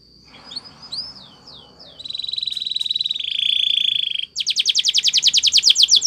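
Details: Belgian canary training song: a few soft slurred notes, a sustained buzzy roll lasting about two seconds, a brief break, then a bright, rapid, rattling high trill.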